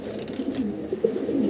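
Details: Doves (ghughu) in a pigeon loft, a breeding pair among several loft birds, giving soft, low, repeated cooing notes in short pulses, with a man talking nearby in a small indoor space.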